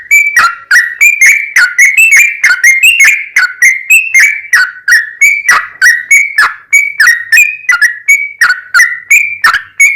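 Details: Long rapid-fire 'ropel panjang' song of a very vocal yellow-vented bulbul, played to stir other bulbuls into song: dense, bubbling whistled notes with snapping attacks, about three per second, continuous throughout.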